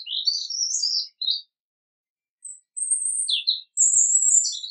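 A European robin sings short, varied phrases of high, thin warbles and sweet whistles, separated by brief pauses. No other sounds are heard.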